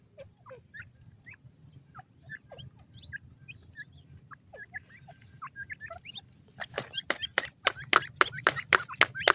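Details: Teetar (partridge) chicks at feeding time give a scatter of thin, high peeps, rising and falling, over a low steady hum; near the end a fast run of sharp, loud clicks or taps takes over.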